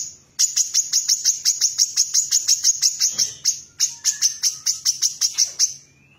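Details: A female Brown-throated sunbird sings prolifically, giving fast runs of sharp, high chirps, about six a second, in two bursts split by a short pause, over a faint low hum.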